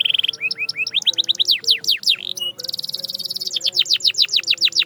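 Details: Canary song used for singing training: a pure whistled note, then quick rising and falling slurred syllables, a short steady whistle, and a fast buzzy roll ending in repeated descending sweeps.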